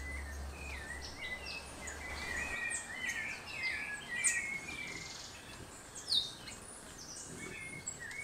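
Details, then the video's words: Ecuadorian thrush near Mindo, Ecuador, giving brief slurred whistles in quick irregular series, mixed with other high chirps and steady insect hiss, a low hum briefly underneath at the start. "Ecuadorian Thrush"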